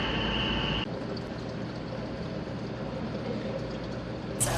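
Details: Steady broadband rushing noise like water or wind, opening with a short high steady tone and ending in a brief burst; no animal voices.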